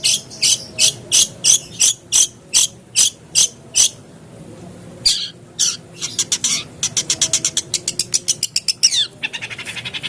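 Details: Long-tailed shrike used as a lure to prompt caged shrikes to sing: a run of sharp, harsh, high notes about three per second, a short pause, then scratchy notes breaking into a fast, dense ticking rattle.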